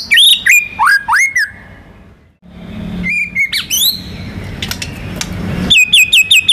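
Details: White-rumped shama, a national contest winner, sings its full-rhythm song: quick looping whistles, a quiet gap, then softer scattered notes over a low rumbling background before a fast run of high repeated notes.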